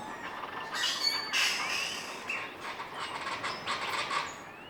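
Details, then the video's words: Common chachalacas calling in the morning from trees above a palapa in the Sierra Madre jungle along Banderas Bay, Mexico: harsh, raspy, broadband notes repeated in an uneven rhythm, with fainter thin whistles from other birds behind. "Meet the Common Chachalaca (Loudest Bird on the Mountain?)"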